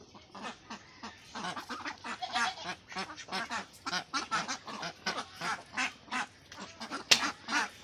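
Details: Khaki Campbell ducks on a farm in West Bengal, India, a flock quacking together in dense, overlapping nasal calls repeated several times a second.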